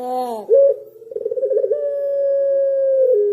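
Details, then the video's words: Pelung dove singing: a short harsh opening note, then a rapid wavering trill that settles into a long, smooth, level coo. The coo drops slightly in pitch at the end. "Suara Burung Puter Pelung"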